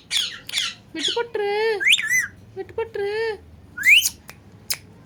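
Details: Talking pet parrot mixing rough squawks with drawn-out meow-like harmonic cries and quick rising whistles, roughly one phrase every two seconds.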